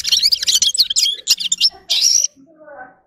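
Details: Red-fronted serin gives about two seconds of fast, high jingling twitter ending in a buzzy trill, then fades as a soft low voice is heard.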